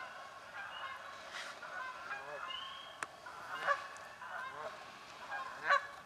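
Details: Canada geese fighting over nesting spots in a swamp: sparse honks about every two seconds above a murmur of distant calls, a sharp click midway and a short whistle.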